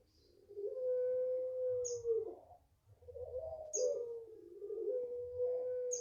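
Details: Puter pelung Barbary dove, a five-month-old home-bred bird valued for its long voice, delivers long smooth coos, one falling slightly at the end. Short high chirps from another bird are scattered throughout.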